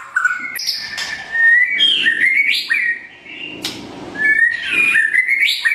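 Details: Morning training song from a pied white-rumped shama: bright rising and falling whistles mixed with sharp clicks, in lively, uneven phrases.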